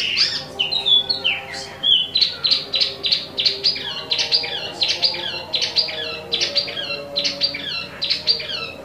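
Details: Energetic song of an imported Wambi mini, known as Tieu Mi: quick bursts of high, buzzy chirps in short repeated phrases, steady and continuous, over a quiet low hum.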